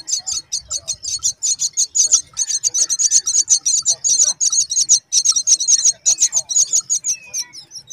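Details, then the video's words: A brown myna mother raising her babies, with the brood giving a dense, nonstop stream of high, scratchy chirps, several each second, over faint low background noise. "Brown myna bird works hard to grow her babies"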